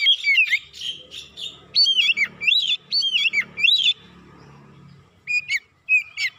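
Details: Oriental magpie-robin singing as a lure to rouse rival magpie-robins into agitated, persistent song. Loud, rich whistled phrases with sweeping downslurs come in rapid clusters, then pause before a few sharp, separate whistles.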